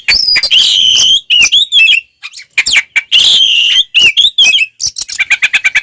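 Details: Oriental magpie-robin (kacer) in heated ngeplong fighting song: loud, harsh, strained whistles and grating notes in long blasts, closing with a quick run of repeated short buzzy notes.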